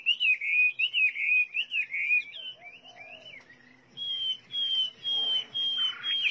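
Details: Chinese hwamei song with varied, rich whistled phrases that warble up and down. A short pause follows, then several long, level, sustained whistles, with faint background noise.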